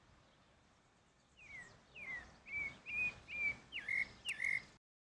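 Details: Wild pale-breasted thrush, Turdus leucomelas, singing a run of seven bright whistled notes, mostly short downward slurs, paced just under two per second after a quiet start, over faint background hiss.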